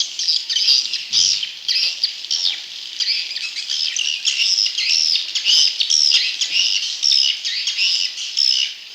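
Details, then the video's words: Swiftlet chick calls used for luring wild young swiftlets, heard as pulsing bursts of high, buzzy chirps and thin whistled squeaks, roughly two bursts per second in a crowded chorus. "Suara Walet Anakan Super"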